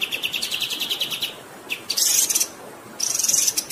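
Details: Continuous 'gacor' song of a black-winged flycatcher-shrike, known locally as kapas tembak, over running water: fast chirp series breaking into harsh buzzy hisses, then more buzzy chattering notes.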